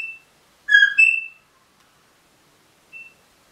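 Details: Pet rosella parrot giving one clear two-part whistle, a low note rising to a higher note, followed by a faint short high note about two seconds later.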